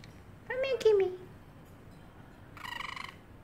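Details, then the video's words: Pet parrotlet in its cage meowing like a cat: a loud, drawn-out falling meow with rich harmonics, a short pause, then a buzzy, pulsing nasal note, with faint room background. "parrotlet making funny sounds and meowing like a cat"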